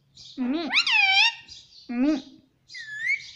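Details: Pet Indian ringneck parrot talking indoors, producing speech-like mimicked syllables: a rising harmonic phrase, a shorter second word, then a softer whistled ending.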